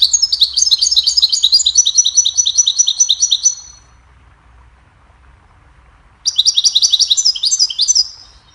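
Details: A goldfinch sings to teach other birds, opening with a long, busy twitter that ends in a thin sustained trill, falling silent for over two seconds, then resuming with a fresh run of rapid, liquid chirps.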